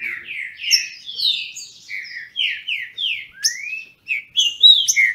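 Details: Dueling song of captive trinca-ferro, or green-winged saltators, in Brazil. Short, full, whistled phrases repeat rapidly, about three or four each second, with one long rising slur midway.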